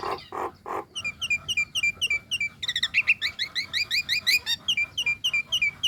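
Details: {'caption': 'Nias hill myna, a female, calling the male: three low harsh notes open, then a steady stream of bright whistled chirps, rising and falling, growing denser and louder.'}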